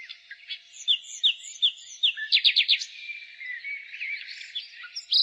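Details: Spring nightingale song built on loud, separated whistled notes repeated about three times a second, then a quick burst of four or five stuttered notes, ending in softer warbling against a high background chorus.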